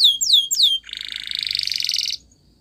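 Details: Spanish Timbrado canary training song: three loud descending whistled sweeps followed by a sustained buzzy rattling trill that stops abruptly.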